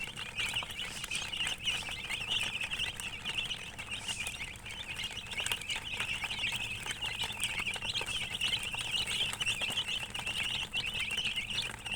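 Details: Chicken chicks chirp nonstop as a flock, with thin, high peeps packed closely and briefly dipping in loudness midway, over a low steady background noise.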